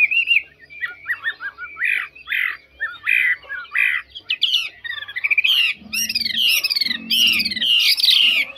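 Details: Mộc chuyền hwamei, described as a fine faultless singer; varied whistled phrases, short slurred notes giving way to rich rapid descending trills and loud rolling flourishes, with a low hum beneath.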